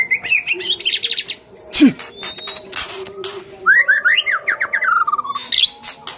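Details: White-rumped shama song played as a lure to provoke other birds: rich, varied phrases of rapid chattering notes, descending whistled runs and buzzy trills, with bright upslurred whistles and a few harsh downward squawks.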